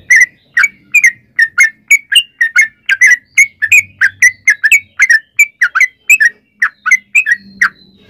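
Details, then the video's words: Lure song of a yellow-vented bulbul in 'ropel' style: rich gurgling whistled notes, some rising and some falling, delivered in an even, rapid series over eight seconds, with a faint low hum behind. "trucukan gacor ROPEL PANJANG buat pancingan trucukan agar bunyi"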